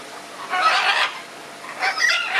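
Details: Red-and-green macaw calls: two harsh, hoarse squawks, the first long and rasping, the second shorter and brighter after a brief pause.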